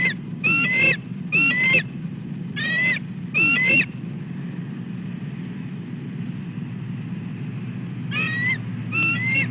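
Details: Calls of a female bald eagle at the nest while her mate eats: series of high, rapid, chattering whistled notes in two groups separated by a pause of several seconds, over low background rumble.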